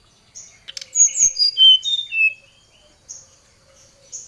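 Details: Agitated Brown-chested jungle flycatcher singing to draw in a rival: a quick descending string of five or six clear whistles, each lower than the last, framed by faint high chirps and a click.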